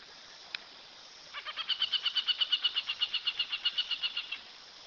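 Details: Aplomado falcon chattering with a fast series of sharp, high, ringing 'kek' notes that swells in, holds steady at about three notes per second for roughly three seconds, then stops; a single click comes earlier.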